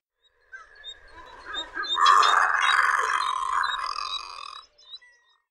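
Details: Razorbill (Alca torda) giving a harsh, rasping, croaking call that builds from short grating notes into a sustained growl lasting about two and a half seconds, then breaks off into a few brief croaks; no other clear sounds.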